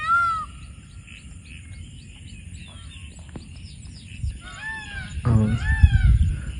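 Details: Indian peafowl in the Konkan at dusk on a rainy day give loud, nasal, harmonic wails, one at the start and a run of descending cries near the end, over steady high chirping from smaller birds and a low rumble.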